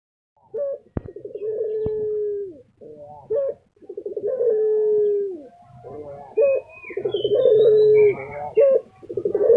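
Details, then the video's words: Lutino Barbary dove, a popular kept bird in Indonesia, cooing in full voice: pulsed rolling notes lead into a long steady low hum, repeated about every three seconds, with faint high chirps of other birds later on. "puter lutino gacor tembus 2 menit"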